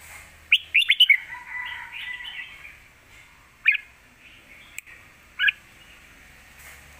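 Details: Caged red-whiskered bulbul from Thailand singing a fierce Lak Wai style master song, used for teaching young birds: a quick burst of bright, bubbly whistled notes, then a few isolated sharp chirps separated by quiet gaps.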